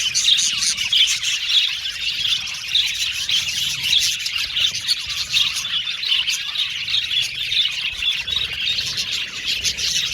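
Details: Male violet budgies in a colony aviary give a dense mass of high chirps and warbles, sharp repeated chip notes standing out above continuous chatter.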